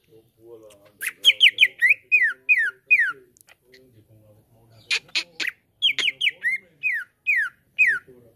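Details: Lure song of the cucak ijo, greater green leafbird, for prompting a caged bird to sing: bursts of rapid downslurred whistles with harsh chattering clicks between groups and faint low murmuring in the background.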